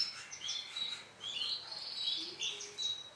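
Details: Male canary of orange Sunkist colour heard more faintly, a stream of thin high twittering trills and short whistled notes against a hissy background.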